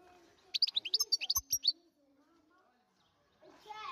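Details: Wild European goldfinch singing in 2023: a quick burst of bright, high, twittering notes lasting just over a second, followed by quiet and then voices near the end.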